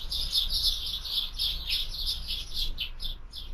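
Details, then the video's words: Several sparrows feeding at a feeder in the afternoon, filmed by a bird camera, give rapid chirps about three per second, bright and high, running together into a busy chatter over faint low background hum. "Воробьи в кормушке"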